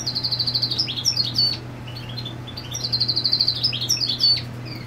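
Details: Territorial goldfinch song with the female nesting close by: a rapid even trill opening each phrase, then liquid twittering notes, heard twice, over a constant low hum.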